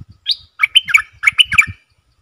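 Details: Decoy streak-eared bulbul singing to lure wild birds, 3 June 2021: one sharp opening note, then a rapid, lively string of about eight chattering, warbled notes, with soft low knocking sounds throughout.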